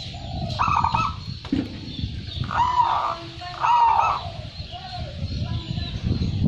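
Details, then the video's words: Prize-winning local zebra dove singing keenly: a short coo, then a pair of rolling, slightly quavering phrases in quick succession, with a low hum of background noise throughout. "perkutut lokal gacor juara 1"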